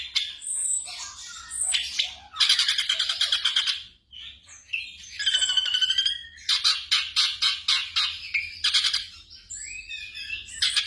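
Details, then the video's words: Black drongo song prepared as a night-time training recording for caged songbirds: harsh squawks, high thin whistles and bursts of rapid buzzy pulsed notes in a varied, jerky phrase, over a steady low hum. "TERAPI SRIGUNTING MALAM HARI"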